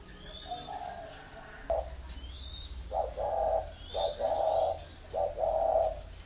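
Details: Decoy spotted dove from a northern Vietnamese bird farm cooing in repeated low, mellow phrases, three groups of hooted notes, while thin high whistles of small birds sound faintly behind.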